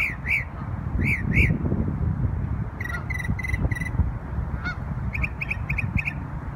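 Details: Bird in New York on Memorial Day singing a mix of arched high notes, a quick row of four clipped notes and a final fast series of short notes, over a low rumble.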